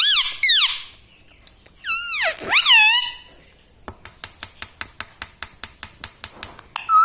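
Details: Talking pet parrot indoors, said to say 'mummy papa'. Loud, falling, harmonic voice-like calls come first, then a pause, a swooping call, and a long regular series of sharp ticking clicks.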